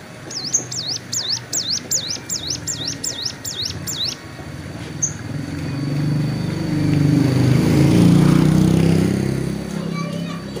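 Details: Roadside hill prinia in wing moult, basking in the sun, gives a fast chain of high looping whistles for about four seconds. A passing motor vehicle then rumbles loudly and drowns the rest.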